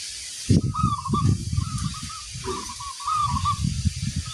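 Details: Local perkutut (zebra dove) song: four rippling coo phrases in a row, the last clipped short, heard over loud low-pitched thumping and rumbling noise.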